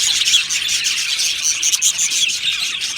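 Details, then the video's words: Budgerigars in an aviary chirping, a short burst of thick, high flock chatter with rapid overlapping tweets and warbles, even in loudness throughout. "Beautiful Budgie aviary chirping sounds"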